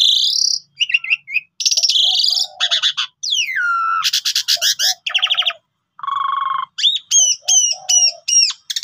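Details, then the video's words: Long, varied pied myna song meant as a lure for other birds: clear whistles, a long downward-sweeping whistle, dense rasping bursts, a steady low whistled note, then a run of repeated looping chirps. "Jalak Uren Gacor Full Isian"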